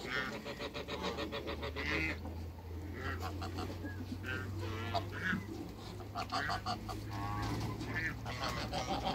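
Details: A pair of African geese kept in a backyard with other waterbirds, giving harsh, stacked honks in bursts, some short and rapid, others drawn out, over a steady low hum and a busy background of other fowl.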